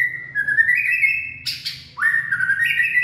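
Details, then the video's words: Late-afternoon song of a white-rumped shama, recorded 18 February 2024: long pure whistles gently rising, broken by a short harsh burst, then another whistled phrase climbing in steps; soft low hum in background. "Purebred Bird Song And Dancing/ Birds white-rumped shama.Late Afternoon Singing."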